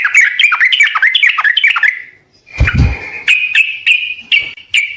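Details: Sooty-headed bulbul, a recording used to get other birds to reply: a rapid chattering warble for two seconds, a brief pause, a low thud, then evenly repeated bright chirps.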